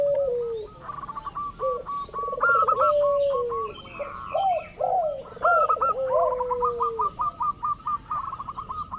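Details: Zebra dove of a local strain, used as a lure so other doves start calling: overlapping rolling trilled coos that dip in pitch, mixed with rapid series of short bright notes, several phrases running together.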